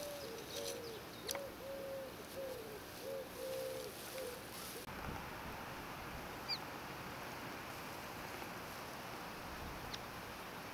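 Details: Grey-headed purple swamphen calling; a run of about seven short, level, hooting notes with slightly dropping ends fills the first five seconds, followed by quieter background with a few faint clicks.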